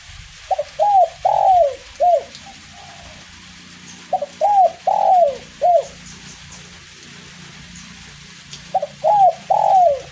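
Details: Kuk 1 style song from a spotted dove singing nonstop in drizzling rain: three phrases about four seconds apart. Each phrase has a double note, an arched coo, a long falling coo and a short coo, over a low background hum.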